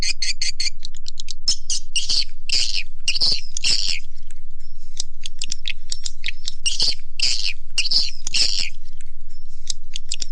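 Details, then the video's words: Swiftlet-attracting lure call: clusters of buzzy chirps separated by gaps holding faint clicks and thin whistles, repeating irregularly. "SUARA PANGGIL WALET"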